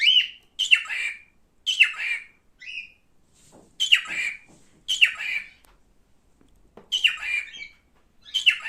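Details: Male cockatiel repeating harsh, grating squawks that drop in pitch, roughly one burst every second or so, with brief quiet pauses between them.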